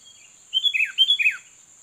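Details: Sooty-headed bulbul luring and challenging a rival: a quick liquid phrase of several bubbly, slurred notes, each dropping in pitch at the end, about a second long, with a faint steady high hum behind.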